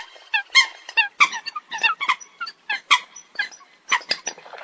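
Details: Coots calling in a tight group, clipped nasal notes at a brisk, uneven pace, some high squeaky pips mixed among the lower honks.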